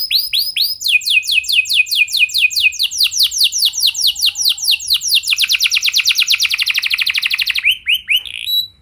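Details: A singing canary, played to draw other canaries into song. It gives repeated looping upslurred whistles that speed up into a fast, dense trill before slowing into a few final notes.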